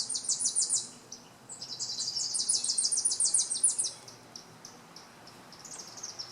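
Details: Tennessee warbler, possibly, heard near electric wires: very high, rapid staccato chips in a short burst, then a longer run of quick sharp notes lasting over two seconds, fading to scattered faint notes afterward.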